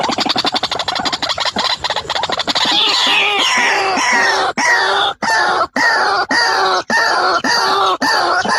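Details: White-breasted waterhen, male and female, calling: a fast rattling stutter of short notes that turns into loud, harsh, falling notes, each lasting about half a second and separated by brief pauses.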